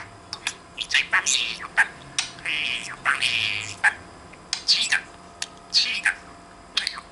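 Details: Talking pet budgerigar, hand-raised, chattering to its owner indoors: bursts of harsh, speech-like syllables and squawky phrases alternate with short clicks and chirps throughout.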